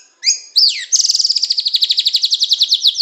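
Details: White-rumped shama from Medan in a training song: two high whistled notes, a falling slur, then a fast, even trill of about twenty strokes held high and slowly descending.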